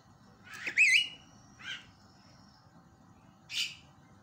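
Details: Javan myna call meant to provoke other mynas into calling: a shrill, squeaky, wavering squeal, a shorter rasp a second later, then a final harsh burst, over a low background hum.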